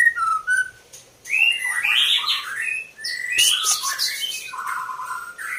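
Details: Breeding female white-rumped shama (murai batu), described as a fighter: varied whistled phrases sliding up and down, mixed with rich warbling and a noisy rasping stretch, ending on a steady clear whistle.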